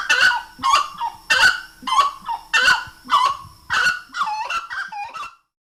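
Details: Grey-cowled Wood Rail (saracura-três-potes), a Brazilian rail, gives loud, harsh honking notes rich in overtones, repeated about every 0.6 seconds in a rhythmic series that breaks into quicker, squeakier phrases near the end.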